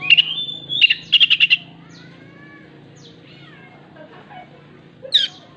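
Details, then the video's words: Oriental magpie-robin imitating a laying hen's clucking: a whistled note followed by a fast rattle of five short notes, then a quiet pause and one harsh final note. "kacer gacor isian ayam betina yang habis bertelur..betok betok"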